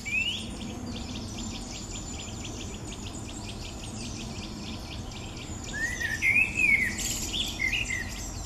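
A Common Blackbird gives a brief, low, mellow fluting phrase near the start and a longer warbled phrase near the end, over a steady high insect trill.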